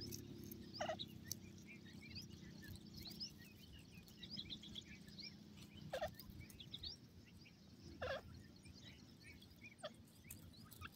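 Francolin chicks give short, sharp peeping notes every couple of seconds, with soft high chirps between them over a steady low rumble.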